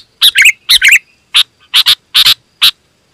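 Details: Sooty-headed bulbul song used to attract wild birds: two bubbling warbled phrases followed by evenly spaced sharp doubled chirps, clean and loud.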